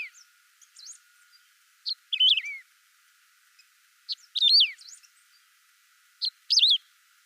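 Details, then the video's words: A saffron finch sings in a clear recording with no effects: three similar phrases about two seconds apart, each a sharp high note followed by a warbled, downward-sliding whistle, with faint soft chips between them. "Som limpo do canto🎵 do Canário do Campo"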